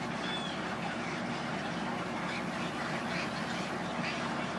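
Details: Thousands of egrets coming in to roost, heard as a thick, continuous mass of rasping, quacking calls layered together. A brief thin whistle rises near the start above the constant din.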